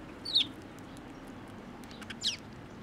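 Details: At a Tenmangu shrine on 25 April 2024, sparrows come to a post to be fed; two brief, high, downslurred chirps sound about two seconds apart against a steady low rumble.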